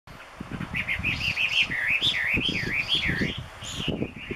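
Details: Chinese hwamei in Gunma Prefecture, Japan, singing loudly and busily: a continuous run of rich, wavering whistled phrases rising and falling, looping notes repeated rapidly over low rumbling background noise.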